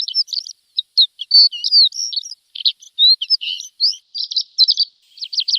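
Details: Javan bush lark (branjangan) song for training cage birds: varied short whistles, flicked chirps and buzzy notes, ending in a quick rattling series, clean recording.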